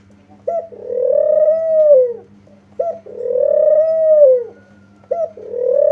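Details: Spotted dove calling as a lure for other doves to respond. A short abrupt note runs into a long, slightly rising then falling purred coo, repeated roughly every two and a half seconds against a faint hum.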